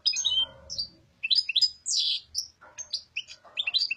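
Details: Carduelis carduelis singing the Greek-named papadia style, with sweet chirped notes, a drawn-out buzzy note in the middle, then quick tinkling chirps.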